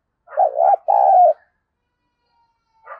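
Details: Spotted dove giving a luring call: a low, hollow, warbling two-part coo, a short wavering phrase then a longer steady one, followed by silence and a faint higher note at the end.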